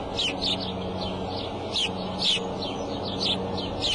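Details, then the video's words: Bald eagle calling at the Decorah nest on April 5, 2:30 pm, the female calling and leaving before the male comes in; sharp, high chittering chirps repeated rapidly in clusters over a low steady hum. "mom up calls and out"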